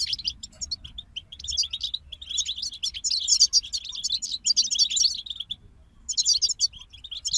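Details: European goldfinches singing as a group, with a long, dense stretch of rapid tinkling and buzzy twittering, then a brief silence before another busy burst.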